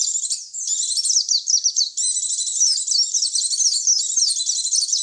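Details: Lure audio for attracting white-eyes: nonstop fast, thin chattering and twittering, notes packed tightly together with slight pauses around the one- and two-second marks. No other sounds present.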